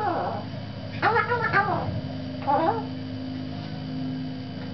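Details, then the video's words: A female pet black palm cockatoo gives two rich, wavering calls, a longer then a shorter one, with a voice-like, almost meowing tone over a steady indoor hum. "Black Palm Cockatoo and her beautiful call"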